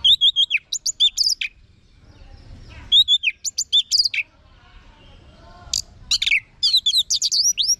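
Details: Orange-headed thrush in ngeplong song, used to prompt home-kept birds to sing back: loud bursts of rapid, varied whistles and chirps, sliding notes dropping in pitch, separated by quieter gaps with faint background sound.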